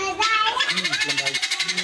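A guineafowl gives a harsh, rapid rattling chatter, about a dozen grating pulses per second, after a brief burst of human voice at the start.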